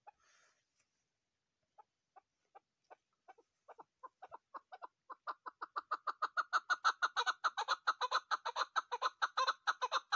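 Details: Female chukar partridge calling, used as a hunting call: short clucks begin sparse and quiet, then speed up and grow louder into a steady rapid chatter of about two notes a second.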